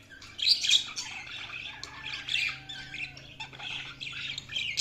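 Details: Budgies at their food chirp and squawk in a steady, busy chatter of gritty high notes and warbles, with a low background hum.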